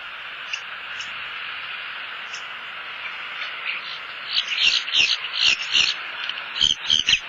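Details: Wild bald eagle at a southwest Florida nest as a headless fish is brought in: quiet at first, then a rapid run of high, thin chittering notes repeated several times a second in the second half.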